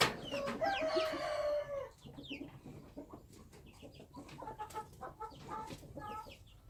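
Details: Wild chicken gives a loud crow of nearly two seconds, strongly harmonic and slowly falling, then softer clucks and repeated short chirps from small birds.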